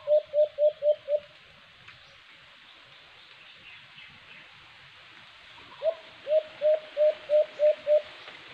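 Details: Low, hollow coos of a white-eared brown dove (alimokon) heard during a cage-trap hunting attempt: a quick run of five, a quiet gap with background hiss, then a run of about eight evenly spaced notes.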